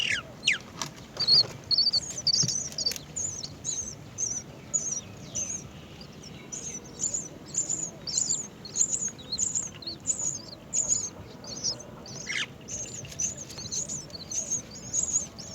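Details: Great myna bringing a cricket to feed its chick; a rapid series of short, high, sharp chirps repeated about twice a second throughout, over low outdoor background noise.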